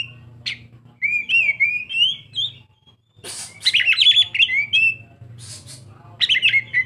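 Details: Oriental magpie-robin, a young bird, delivering rapid fluid whistles and slurred warbles in bursts, with harsher chattering notes mixed into the later phrases; faint low hum in the background.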